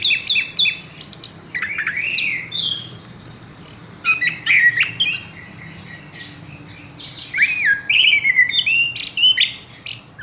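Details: Horsfield's bush lark kept in a cage, hung up straight away, delivering a long dense song of quick high chirps, trills and slurred whistles in rapid bursts with brief pauses, over a faint low background hum.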